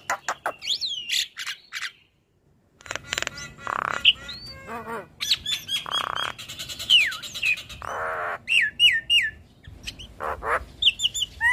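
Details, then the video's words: Caged Black-winged starling in long, varied, prolific song while bobbing its head. Whistled slurs, harsh grating bursts and rattling notes follow one another, with a brief pause near the start. "Dengar Suara Khas Jalak Kebo Gacor"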